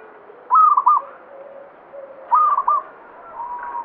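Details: Zebra dove, local banyumili type, singing vigorously: two crisp stuttered coo phrases nearly two seconds apart, with soft low cooing in the background.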